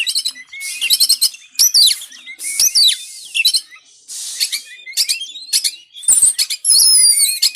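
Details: White-rumped shama song meant to train lazy birds: energetic alternation of harsh buzzy bursts, rapid stuttered chips and clear swooping whistles, finishing with ringing high whistled notes.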